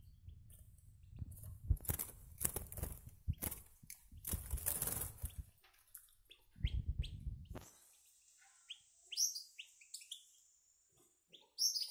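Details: Goldfinch × canary hybrid chicks, small and now eating alone in the box, with a goldfinch singing; loud wing flutters and cage knocks, then a thin, high sustained note gives way to quick, bright twittering chirps.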